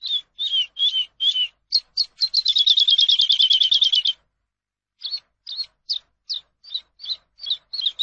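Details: Eurasian skylark song for teaching caged birds: evenly spaced high notes build into a loud, fast trill lasting about two seconds, then after a pause a steady series of clipped chirps resumes.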